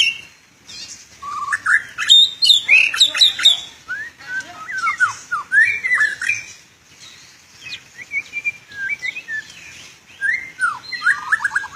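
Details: White-rumped shama (kacer), described as an international champion, in full varied song: rapid whistled phrases with sweeping slurs and sharp chirps, alternating with pauses and quieter passages.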